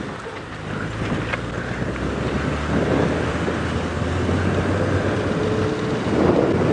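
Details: Steady engine rumble and wind buffeting from a safari drive vehicle at sunset, with no animal voices standing out.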